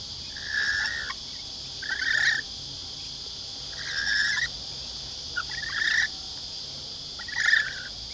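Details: Lorikeets taking food from the hand at Lane Cove Camping Ground near Sydney, Australia: five short, grating screeches spaced about one and a half seconds apart, set against a continuous high insect buzz.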